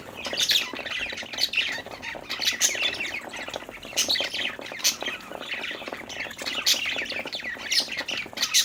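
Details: Happy budgerigars playing keep up a lively warbling chatter of chirps and squawks, with repeated loud bright notes roughly every second.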